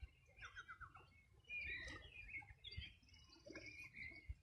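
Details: Wild birds singing on the bank of the Río Bueno, Los Ríos Region, Chile, on a summer morning in 2020: scattered chirps and short twittering phrases overlap, with bursts of low rumbling noise underneath.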